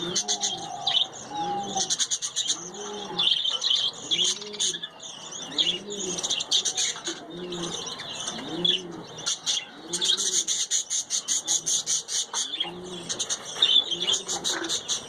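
Budgerigars chatter in a dense, high warbling stream while a dove coos steadily beneath them.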